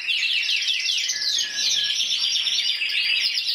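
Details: Spanish 2014 champion canary, intense yellow, scored 94 points as an individual, pouring out fast descending trills that blend into a long, warbled, high whistle.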